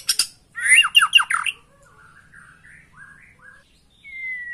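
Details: White-rumped shama song played to spur a kept bird to sing persistently: a loud burst of harsh, scratchy downslurred notes, then faint soft warbled phrases and a final long, clear, slightly falling whistle.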